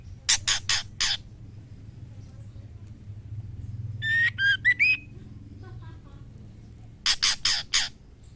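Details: White-rumped shama female calling to the male to mate. Bursts of three or four harsh broadband squawks at start and end, with a short run of rising whistled notes in the middle; steady low hum underneath.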